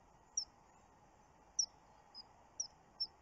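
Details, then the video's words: Common kingfisher at a webcam site on 29 June gives five very high, thin, shrill whistles, spaced irregularly about half a second to a second apart, over a soft steady rushing background. "Eisvogel Laute"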